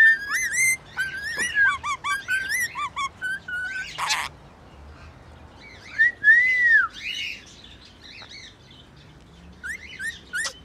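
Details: Pet rainbow lorikeet song made of short whistled and chirped notes in loose bursts, with a single arched whistle in the middle, quiet gaps between phrases and a brief noisy rustle.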